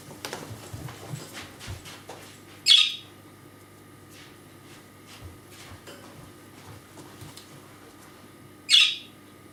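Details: Indoor pet budgerigar unable to fly, caged beside a computer, wants to be watched constantly. Soft rustling and shuffling, then two loud, grating "kärrö" squawks about six seconds apart.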